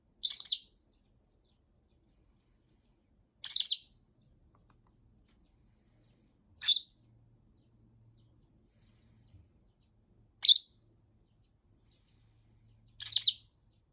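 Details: Rosy-faced lovebird kept as a pet, calling nonstop in frustration after more than a week without playtime; five piercing, harsh chirps spaced roughly every three seconds, with a faint low hum between them.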